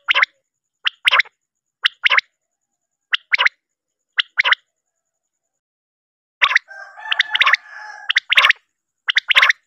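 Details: Female quail call used for hunting: short, sharp paired and triple notes repeated about once a second, then a denser burst of overlapping buzzy notes mid-clip before the clipped pulses resume.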